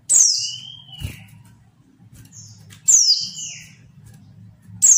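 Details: Female mountain white-eye call used to prompt males to sing: three shrill downward-slurred chirps roughly every three seconds, each paired with a thin sustained whistle, over a faint low hum.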